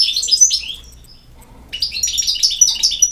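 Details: European goldfinch in Bosnia and Herzegovina: a burst of quick, high, tinkling twitters, a near-silent pause, then another longer run of bright, fluttering chirps.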